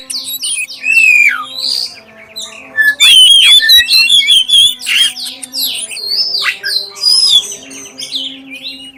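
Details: Lure song of a black-chested oriental magpie-robin, played to get other magpie-robins singing: a steady stream of varied clear whistles, buzzy notes and quick chips, loudest through the middle, over a low electrical hum.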